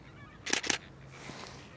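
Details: Greater flamingos, a large group walking along the Grevelingendam in the Grevelingenmeer while squabbling a little. Two quick harsh honks in close succession, followed by a faint murmur of softer calls in the background.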